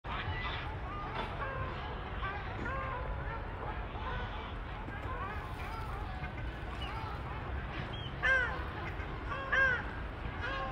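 Ruddy shelducks give nasal, honking calls, many overlapping from a flock, with two louder honks near the end over a steady low rumble.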